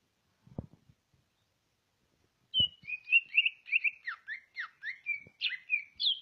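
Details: Greater green leafbird from Ngawi, East Java, described as a prolific national-champion singer. A few low knocks come first, then a quick run of varied whistled and slurred high notes, rising and falling, about two per second.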